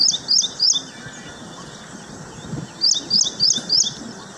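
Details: Baya weaver busy building its nest at Hoskote, Bengaluru: high, thin squeaky chirps in quick triplets, a cluster at the start and another near the end, over steady low outdoor background noise.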